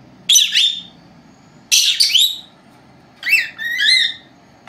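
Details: Young female lovebirds, a pair aged four months, resting at home during a nap, old camera recording alone; three spaced bursts of high chirps, the last with squeaky whistled, wavering notes, faint hum behind.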